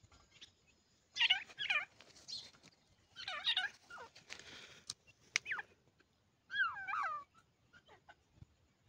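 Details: Grey francolin chicks uttering repeated groups of wavering, falling calls, some loud and looping, separated by short pauses and scattered sharp clicks.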